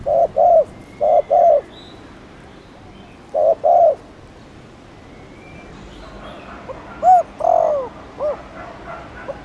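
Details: Spotted dove of Thổ Đồng type, Chiêu and Gù styles, cooing to stimulate newly caught doves: three short-long coo pairs, a silent stretch, then a separate phrase with a hoot, falling coo and hooked notes, faint chirps behind.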